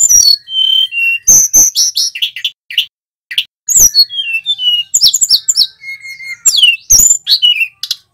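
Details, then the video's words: Mountain flowerpecker (tledekan gunung) male song, used as a lure to get kept songbirds singing: dense high-pitched chirps, sharp downslurs and steady whistled notes in quick succession, nearly continuous. "Suara tledekan gunung gacor ‼️ Pancingan burung sulingan BAHAN agar cepat bunyi nyiul bongkar isian"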